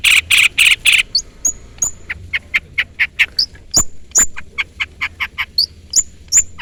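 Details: Long-tailed shrike calling to a rival. A few loud rasping notes open, then a rapid mix of sharp clicks, short buzzy chips and thin high whistled slurs, steadily repeated.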